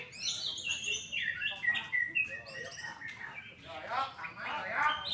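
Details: Greater green leafbird, a caged first-place winner at a songbird contest in Indonesia, singing rapid twittering phrases with rising and falling whistled notes. Other birds and faint voices sound behind it.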